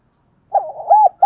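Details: Spotted dove cooing briefly: a soft wavering note, an arched mellow coo and the start of another, all low and round, in silence.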